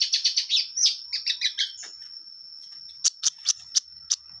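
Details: Long-tailed shrike in clear song: quick scratchy chattering phrases, then a sustained high thin whistle punctuated by sharp separate chips.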